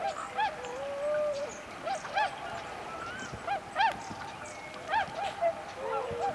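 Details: Several swans calling at dawn on 11 November 2010 while forest songbirds begin singing: short nasal honking notes repeated roughly every second at uneven intervals, with thin whistles and chirps in the background.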